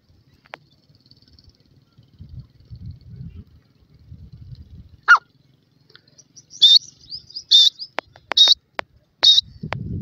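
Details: Black francolin chicks in a forest: after a quiet stretch with low rustling, a run of short, high, piercing peeps, roughly one per second, with a lower thump at the close.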